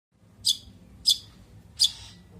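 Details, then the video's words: Long-tailed shrike singing vigorously in the rich "isian" fill style: three short, harsh, high chirps spaced about half a second apart, over a faint low hum. "cendet gacor isian mewah"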